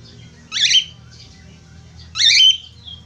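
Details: Budgerigar sounds meant to prompt other budgerigars into singing: two short, bright chirruping notes with a quick warbling twist, about 1.6 seconds apart, over a low steady background hum.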